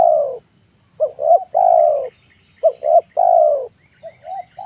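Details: Afternoon cooing of a spotted dove, played to lure wild doves: a long falling coo, then two short hiccuping notes and another long coo, repeated, with a constant faint high-pitched hum behind.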